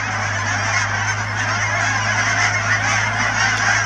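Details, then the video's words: A loud, continuous mass of overlapping honks from a huge Canada goose gathering, numbering thousands, at the Cheam Wetlands near Chilliwack, British Columbia, over a steady low-pitched hum. "Canada Geese at Cheam Wetlands"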